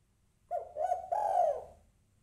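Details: Calling female spotted dove trying to draw a male. One soft, mellow coo is followed closely by a longer, fuller coo that swells and then tapers off.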